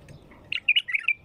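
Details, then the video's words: Wild bulbul song meant to get a bulbul singing: a brief rich phrase of four or five fast liquid, warbling notes, slightly descending at the end, against a calm background. "تغريد بلبل وحشي يخلي البلبل يغرد"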